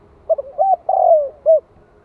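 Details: A single 'gáy gọi' coo from a decoy spotted dove in the 'hạp bổi' voice style, aimed at provoking wild doves. The phrase runs from a short hoot to a rising note, then a long falling coo, and ends with a round final hoot.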